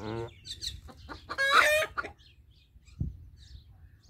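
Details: Rooster giving an alert call: a few short clucking notes, then a loud harsh raspy squawk lasting about half a second, followed by a single low grunt-like cluck and quiet background.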